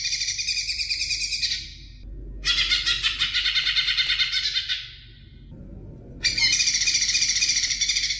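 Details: Greater green leafbird singing for young birds: three long stretches of dense, scratchy, high chattering, each lasting one to two seconds, divided by quiet gaps with faint low background noise.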